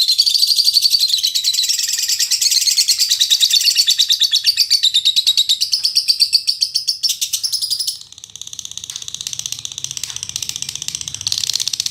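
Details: Caged female lovebird, noted as a fighter that sings as boldly as a male: a long, unbroken stream of rapid, grating, buzzy chatter that softens and thins after about eight seconds.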